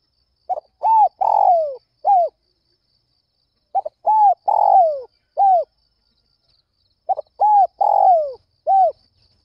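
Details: Spotted dove in the early morning, calling eagerly to lure other doves: three identical cooing phrases, each a short lead-in followed by several rounded coos with one longer sliding coo, repeated about every three seconds.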